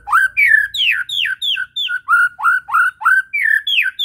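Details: Medan murai batu, a white-rumped shama, repeating clear downslurred and looping whistles about three times a second in a steady, ringing full isian sequence.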